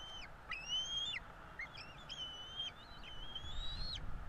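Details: Two bald eagle chicks begging while being fed at a nest in Florida: clear, thin whistled notes, some rising, repeated in quick succession with short sharp chips between, low hum beneath.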